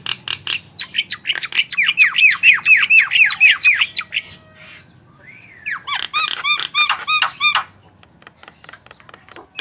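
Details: Javan myna in full, vigorous song used as a tutor recording to get other birds singing: a dense burst of buzzy, swooping notes, a brief quiet gap, then a second loud volley of ringing, curved chirps.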